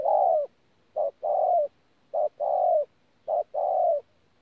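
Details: Wild-caught spotted dove cooing in the 'thổ pha gù' style, recorded at Tu Mơ Rông on 14 January 2019: three phrases, each a short clipped note followed by a longer, slightly falling coo, about one phrase per second, quiet background.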